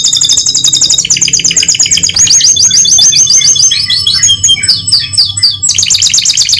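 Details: Continuous canary song meant to encourage other canaries to sing, made of rapid high trills that shift through repeated sweeping notes, with a faint low hum.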